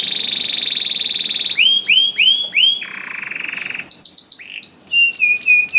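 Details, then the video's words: Lively singing canary, played as a lure to get canaries that rarely sing to start singing: a fast buzzy trill, then a series of rising whistled swoops, a flat buzzy roll, and quick high chattering notes with looping whistles. "KENARI GACOR DOR INI MEMANCING KENARI YANG SUSAH BUNYI JADI IKUT GACOR"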